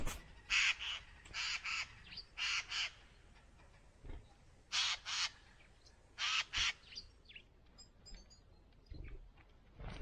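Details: A Eurasian jay at a winter feeder in Moscow Region, mid-February, watched by a cat and kitten, gives harsh, rasping screeches, mostly in quick pairs every second or two, with faint high chirps from small birds behind.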